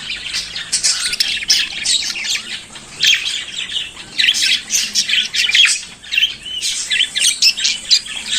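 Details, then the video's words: Budgerigar warbling in the morning: dense, high chattering made of buzzy trills, clicks and squeaky whistles that rise and fall, running almost without a break. "Periquito Australiano Cantando pela Manhã"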